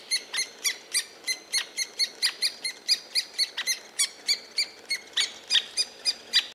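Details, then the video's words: Three-toed woodpecker near a tree hollow in Białowieża Forest gives short, sharp, high notes, about three a second in a slightly uneven series, against a quiet background. "three-toed woodpecker near the hollow"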